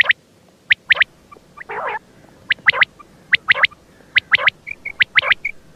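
Common quail giving sharp, liquid, clipped notes in quick groups of two or three, repeated roughly every second, with a few softer whistled notes between.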